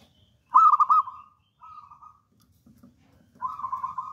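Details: Bold local wild-type zebra dove sings a loud stuttering burst of quick coos, a short soft purr, then a long rolling trilled coo at a steady pitch; faint low rumble in the background.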